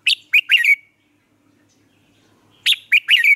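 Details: Red-whiskered bulbul lure bird from Vietnam, sung to train and stir other caged bulbuls. Two bright warbled phrases of three quick notes each, falling and slurred, separated by a pause of nearly two seconds, over a quiet background.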